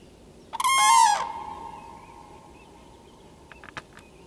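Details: Common crane sounding off loudly with one rasping, rolling trumpet call of about half a second, followed by near silence broken by a few faint clicks.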